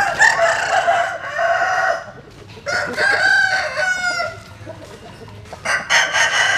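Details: Roosters crowing at dawn as chickens bask in the morning sun: several loud, harsh crows in quick succession, each rising then dropping away, with short pauses between them.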